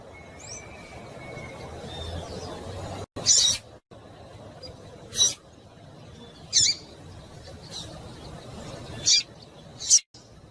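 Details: Breeding-condition female double-collared seedeater giving calls meant to excite males: brief, high, clipped chips at irregular gaps of one to three seconds, with a thin whistled tone early on and a low hiss throughout.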